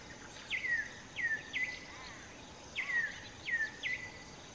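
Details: An African Emerald Cuckoo in southern Africa, calling from high in the canopy or an open song post to advertise presence or attract a mate, gives two clear whistled phrases of three slurred, slightly falling notes, against a steady hiss of insects.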